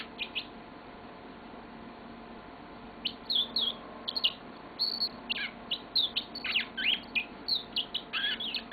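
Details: Pet yellow-fronted canary: two chirps, a pause of about two and a half seconds, then a lively song of rapid high twitters and slurred whistles that runs to the end.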